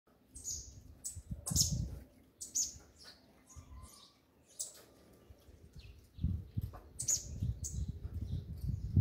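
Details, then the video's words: Double-collared seedeater (coleiro) performing its individual 'mexida' song style, called 'do grego': sharp high chips and short slurred notes in spaced bursts, with low thumping and handling noise underneath. "COLEIRO CADA COLEIRO TEM SUA MEXIDA Essa é a do grego"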